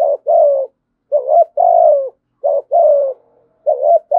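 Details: Spotted dove cooing in the thổ sấm style, rapid two-note phrases of a short note plus a longer downward-sliding coo, repeated four times with short gaps.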